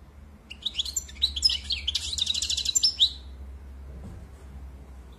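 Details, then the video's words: Short goldfinch phrase of quick chirps building to a rapid metallic trill, ending after about three seconds, followed by quiet with a low background hum. "Très beau Chant"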